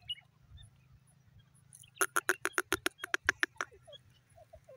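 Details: Evening call of a francolin, or irani teetar: a fast, rattling series of about a dozen harsh notes lasting under two seconds, with faint chirps before and after over a low hum.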